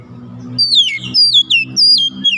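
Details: Young oriental magpie-robin during training, singing energetically with learned fill-in notes: loud, sweeping downward whistles repeated three or four times over a low steady droning hum.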